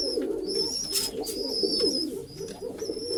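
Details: A continuous murmur of deep, rolling coos comes from several pigeons housed together in a pigeon house. High steady whistle-like tones sound intermittently over the low throaty chorus.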